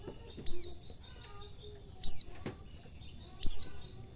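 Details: A white-eye, in a recording used to train pet white-eyes to sing, gives three thin, very high downward-sliding notes about one and a half seconds apart over a faint low hum.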